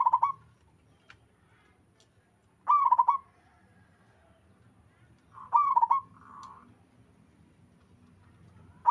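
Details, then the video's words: Local wild Zebra dove singing actively, with other birds answering: short, rapidly pulsed cooing phrases repeat about every three seconds, one followed by a softer, lower-level burst, over a quiet, low rumbling background. "Suara burung perkutut lokal alam gacor sekali putar lainnya ikut nyahut"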